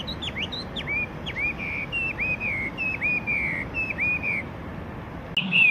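A Yellow-breasted Chat gives about ten clear, slurred whistles, each dropping then leveling, about twice a second, ending in a sharper burst.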